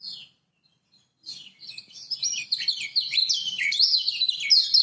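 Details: Lemon-bellied white-eye from Lombok, a recording used to lure silent caged birds into singing: after a short opening note, a rapid, loud run of high twittering and warbling phrases that grows steadily stronger.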